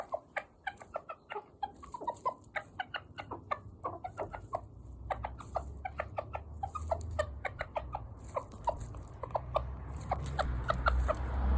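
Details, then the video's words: A pet bantam rooster with a cute voice gives a run of short, soft clucks, nearly two a second and unevenly spaced, over a low rumble that grows louder toward the end. "カワイイ声で鳴くにわとり Rooster that makes a cute sound"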